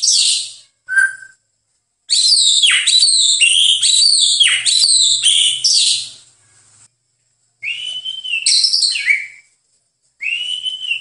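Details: White-rumped shama master recording for training birds: short whistled notes, then a long, dense phrase of high, rapid chirps and warbles, followed by two clear whistled phrases with pauses between.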